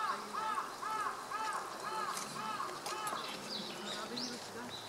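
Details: Brown-eared bulbul picking nightshade berries, filmed on 2 January 2014 in Japan; a series of about six repeated curved, slurred notes in the first half, then fainter high chirps, over steady background noise.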